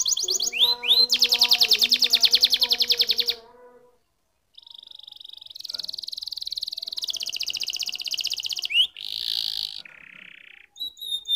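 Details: Canary delivering a loud fast trill, then a brief silence, followed by a sustained whistle, a buzzy rattling tour and short separate high notes.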